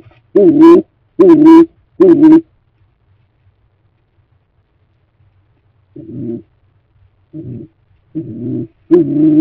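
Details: Stock doves near a nest box freshly cleaned for the breeding season; three clear low coos in quick succession, a few seconds of silence, then several fainter, shorter coos ending with a louder one.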